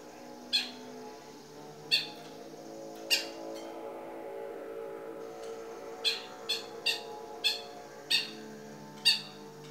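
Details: Long-tailed shrike singing actively, a recording meant as tutor song for other cage birds: short harsh scratchy notes, singly and in quick runs roughly every one to two seconds, over a steady low droning hum.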